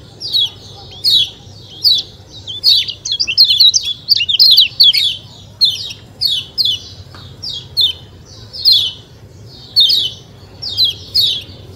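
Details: White-eye, locally kecial kuning, singing a 'ciak ciak' sequence of bright, high, descending chirps. A dense tumbling run in the middle gives way to evenly spaced single notes about once a second.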